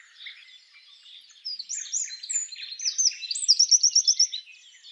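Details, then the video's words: Spring forest with a wild Eurasian wren (Troglodytes troglodytes) giving its mating song: soft, distant twitters at first, then rising to loud, shrill whistled notes and a fast run of repeated high notes. "Eurasian Wren singing"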